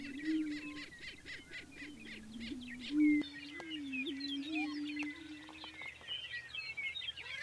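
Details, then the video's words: Early-morning spring lek of prairie chickens in central South Dakota grasslands: repeated low, droning booming tones that waver and step in pitch, overlapped by fast, high cackles and chatter from several birds. "Prairie Chickens Booming"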